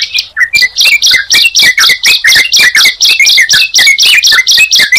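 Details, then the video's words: Sunda pied chat and yellow-vented bulbul heard together, with sharp high chirps repeated about twice a second and lower slurred whistles in a jumbled, continuous chorus. "Suara Ciblek Dan Trucukan Jika Dipertemukan"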